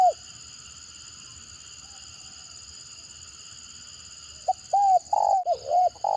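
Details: Spotted dove giving a stuttering call that draws responses from other birds: a brief note at the start, then a series of short, low, hollow coos in quick uneven succession near the end, over a steady high electronic hum.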